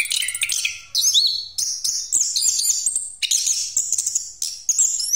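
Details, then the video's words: An orange-headed thrush sings a continuous rolling song meant to lure other birds, packed with loud, high, buzzy and whistled phrases that change pitch abruptly, separated by very brief breaks. "Anis Kembang Pastol Ngeroll Buat Pancingan"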